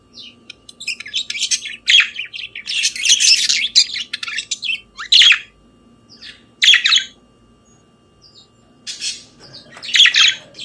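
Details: Morning budgerigar song with a loud, dense chattering passage at the start, followed by isolated sharp chirps a second or two apart and a last squeaky burst.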